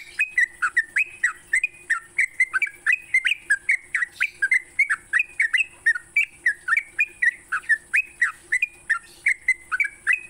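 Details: Sooty-headed bulbul morning song played to train songbirds: long, unbroken series of bright, bouncing whistled notes, each swooping down and up, delivered steadily at about three to four per second.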